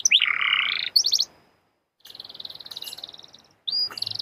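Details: Canary song used as a prompt to get other canaries singing; bright buzzy trill, then a steady high rapid twitter, a pause and a short rising whistle into another trill.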